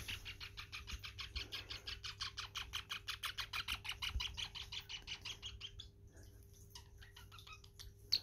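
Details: Male pet parrotlet singing during his dance indoors: rhythmic run of short chirps, about three per second, growing louder then trailing off into softer scattered notes and a final squeak; room hum underneath.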